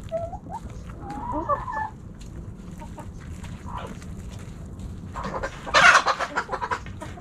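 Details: Backyard hens and roosters snacking at Thanksgiving: short harmonic clucks and squeaky notes early on, then a loud harsh squawking burst near the end, over scratching and pecking noise.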